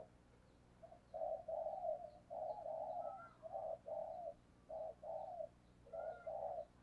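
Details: Decoy spotted dove cooing eagerly to provoke wild doves: mid-pitched, slightly rough coo phrases in short bursts, several notes run together, repeated across the clip over a low steady background hum.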